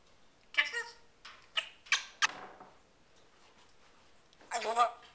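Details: Pet talking African grey parrot indoors making kissing sounds: several short, sharp smacking and squeaky bursts separated by pauses, ending with a longer, voiced, speech-like phrase.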